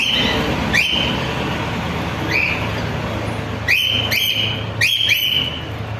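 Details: A cockatiel gives sharp, rising whistled calls that sweep up and flatten into a steady high note.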